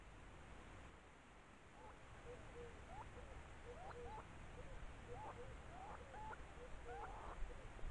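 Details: Stone-curlew near its nest, a busy run of brief, faint rising and falling whistled notes repeating irregularly over about six seconds, with steady low background hum.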